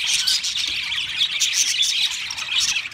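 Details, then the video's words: Pet budgerigars in chorus, giving busy overlapping high chirps and rasping warbles that run without a break. "Singing Sounds My Budgies Birds"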